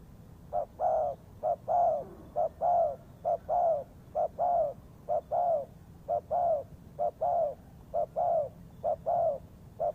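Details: Spotted dove calling as a lure for trapping, a sustained even series of deep soft coos in short-long pairs, repeated roughly every second over a low background murmur.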